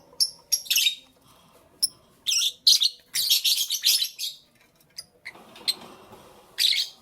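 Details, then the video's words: In the morning, pet lovebirds produce clipped, high whistled chips and short harsh bursts of chatter, some in quick runs, with quieter gaps and a faint rustle between calls. "Lovebirds Chirping Sounds"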